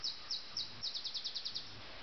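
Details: Common nightingale singing in Sussex at 4 a.m. on 30 June 2010: a rapid run of about a dozen sharp, high, evenly spaced notes repeated several times a second, over a low steady hum.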